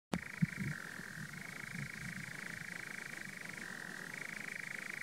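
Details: A nightjar on Kelling Heath churrs in a long, unbroken mechanical trill that drops to a slightly lower pitch for a moment, then rises again, over faint low background rumble.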